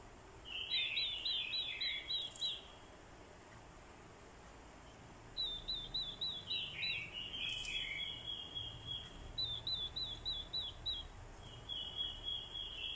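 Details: Decoy orange-headed thrush in fighting song, with female calls used to provoke it: strings of rapid high whistled notes merging into warbled phrases, a long pause, then steady repeated chips and warbles.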